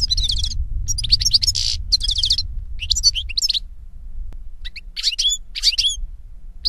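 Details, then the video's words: European goldfinch song in nature, a lively run of rapid twittering phrases with buzzy, rattling notes and high slurred chirps in bursts, accompanied by a low rumbling background that fades midway. "Birds Singing - European Goldfinch"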